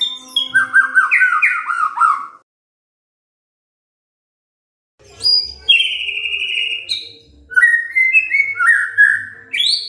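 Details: Oriental magpie-robin song used to coax other magpie-robins into song: quick descending whistled notes, a pause of silence, then further varied whistles and chirps with faint low thumps.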